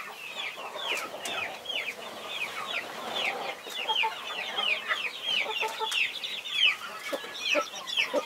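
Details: Mother hen guarding her 21 young chicks, with a steady chorus of high, thin, downslurred chick peeps overlapping throughout and occasional soft, lower hen clucks underneath.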